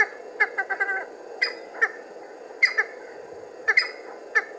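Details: Cheer pheasant coming out of cover and calling: short grating notes, first a rapid cluster, then spaced pairs about a second apart, over steady background noise.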